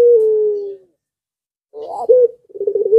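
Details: Zebra dove in breeding condition, drawing other doves into calling; a drawn-out slightly falling coo fades, then after silence a rough note and fast bubbling coos.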